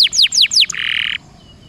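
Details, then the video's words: Canary lure song with four quick descending whistles followed by a sustained harsh buzzy note, then near silence. "PANCINGAN KENARI MALAS BUNYI DIJAMIN NGEROLL!!!"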